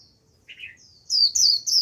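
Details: Short phrase from a caged white-eye used as a lure: a soft, lower buzzy note, then a loud, high, squeaky twittered run.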